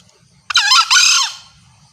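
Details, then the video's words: Female green junglefowl calling to attract males: a harsh, squealing double-phrased note lasting under a second, its tones dipping and rising, over a quiet low background hum. "Sound of green jungle fowl..Masteran Ayam Hutan Hijau"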